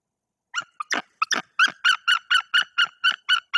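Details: Nest-defending white-tailed eagle female, sitting on eggs, calling at an intruder that landed on the nest tree above her in Bory Tucholskie; after a brief silence, a few uneven yelps build into a regular run of ringing barking notes, roughly four per second.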